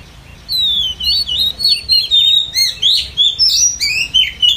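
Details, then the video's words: Female Oriental magpie-robin voice played to attract wild birds to a trap: a varied chain of twisting high whistles and sharp chirps, about three per second, over a soft low background rumble. "File bẫy chòe 180p kèm tiếng mái dụ bổi về ngay"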